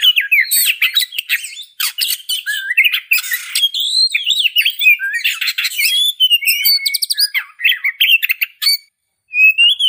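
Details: Oriental magpie-robin singing a rich, varied song of slurred whistles, rising and falling notes and harsh buzzy bursts, phrases packed closely with brief pauses, ending after a short silence with a clear whistle.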